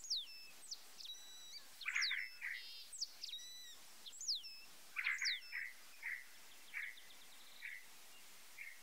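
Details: White-browed meadowlark song phrases: high, steeply falling whistled slurs mixed with scratchy burry notes, repeated every one to two seconds, then a trail of softer chips fading out over faint background hiss.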